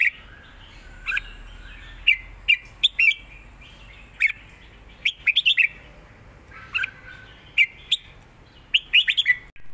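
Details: Red-whiskered bulbul in southern-style song: short bursts of two to four quick chirpy slurred notes repeated every second or two over low steady background noise.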